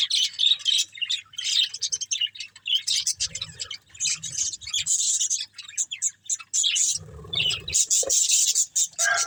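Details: Pet budgies eating green food twitter in broken bursts of high, rapid chirps, separated by short pauses, with soft low knocks in places.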